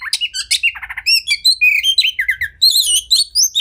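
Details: Oriental magpie-robin (kacer) in a caged-bird tutoring recording: quick rasping chips and a short trill, then a string of clear rising and falling whistles, some repeated rapidly.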